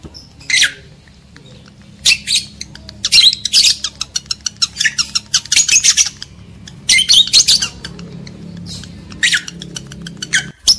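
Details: Lovebird chatter for stirring mating urge in males and females: continuous stream of rapid chips and grating squawks, shrill and uneven, with occasional brief pauses.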